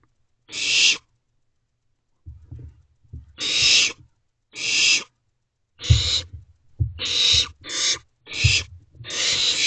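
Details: Owlets in a nest box at night, 3:21 am on 28 May 2023: harsh, noisy hissing bursts about half a second long. They come irregularly, then crowd together late in the clip, with soft low thumps and shuffling between them.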